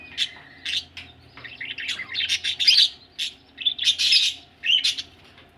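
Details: Budgies ready for egg laying: quick scratchy chirps building into a continuous twittering warble, with loud squawky bursts toward the end and a faint low hum underneath.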